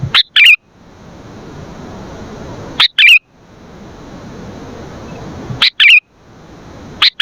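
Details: Sooty-headed bulbul, played to lure and tutor birds, repeating a paired phrase about every two and a half seconds: a crisp note, then a bubbling warble, with hiss in the gaps.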